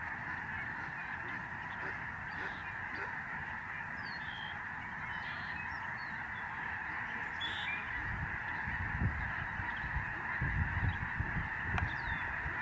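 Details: A spectacular flock of Lesser Snow Geese passes overhead at the George C. Reifel Migratory Bird Sanctuary, Canada, November 2011. An unbroken honking chorus continues for twelve seconds, with some sharper single calls and low rumbling in the second half.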